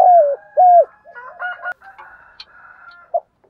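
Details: Spotted doves cooing in the morning to rouse decoy birds: two loud coos open, then only faint, overlapping distant cooing.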